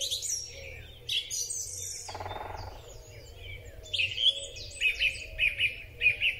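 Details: Spring song of a song thrush, captured on a Huawei P30 Pro phone: scattered high chirps from other birds, then a short sharp phrase repeated five times in quick succession.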